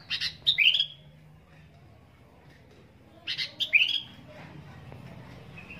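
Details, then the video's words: Sooty-headed bulbul in full song, recorded as fill-in training material: two short phrases about three seconds apart, each a quick chatter followed by clear rising, slurred notes, with quiet background between. "kicau kutilang gacor isian"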